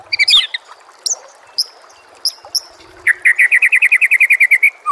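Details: White-rumped shama master song meant to prompt a caged bird to answer and sing. Scattered high whistled and chirpy notes, then a fast run of about fifteen bright, evenly repeated notes, ending with a lower slurred whistle.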